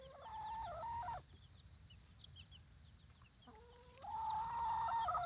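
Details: Baby chicks outside the coop: two drawn-out tonal calls, each about a second long and level or slightly rising, with a quiet gap between them and faint short high chirps scattered throughout.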